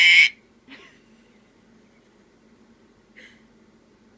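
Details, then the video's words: A sun conure burps with one loud, harsh, raspy burst, then two much fainter short rasps about half a second and three seconds later, over a quiet room hum. "the sun conure burping"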